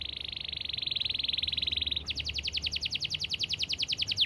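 A canary sings a fast, dense trill, first a steady high buzzing roll, then a run of sharper rising notes at about three or four per second.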